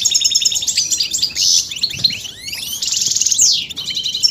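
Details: European goldfinch song for stimulating males: quick high chirps and twitters, then a series of falling whistled slurs, a sharp downward sweep, and further twittering.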